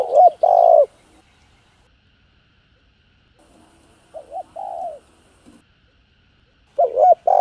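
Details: Cooing spotted dove, its voice used to excite other doves into calling; a loud two-note phrase, a long quiet stretch, a softer short-long phrase, then another strong pair of low coos.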